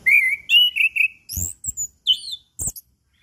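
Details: Lure song of a chestnut-capped thrush for prompting silent birds, morning, noon and evening: sustained clear whistles followed by high thin notes and sharp clicking sounds.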